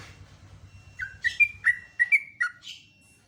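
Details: Morning song of a Yellow-vented bulbul, known locally as trucuk and noted for a loud, booming voice: after a second of low hum, a brief phrase of about six liquid, chirped notes, then quiet.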